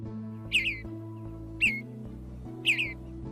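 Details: Catbird singing with fine imitations of many other species: three short, bright, twisting whistled phrases about a second apart, over steady background music.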